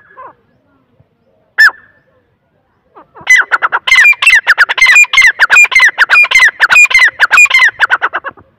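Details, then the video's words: Grey francolin calling: one loud isolated note, then after a pause a rapid, harsh series of repeated ringing notes that build into an insistent, evenly pulsed chant. "Irani teetar ki awaz Teetar awaaz Teetar voice تیتر کی آواز Dakhni teetar ki awaz"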